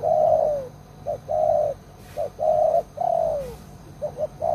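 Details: Lure spotted dove kept caged for catching wild doves, cooing loudly: drawn coos that droop in pitch at their ends, alternating with short clipped notes, in a steady repeating sequence.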